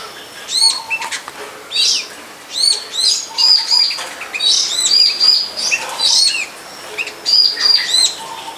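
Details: Long-tailed shrike singing in the wild behind a friend's house beside a longan orchard. Sharp, high, repeated arched chips and buzzy clusters come in quick bursts about once a second, with brief pauses between.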